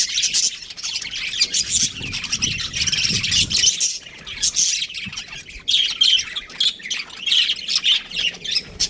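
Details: Budgies of a breeding pair keep up a lively chirping warble, grating squeaks and short whistled notes tumbling over each other, with soft low rumbles underneath early on.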